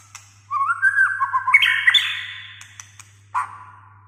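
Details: White-rumped shama (Copsychus malabaricus) singing: rich, rising whistled notes that climb into higher slurred phrases, then a short pause and a fresh phrase, over a faint steady hum.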